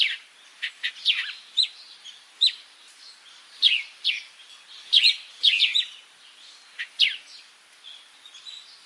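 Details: African sparrow giving bursts of high, clipped chirps in irregular clusters, some doubled or tripled, with brief quiet gaps between groups.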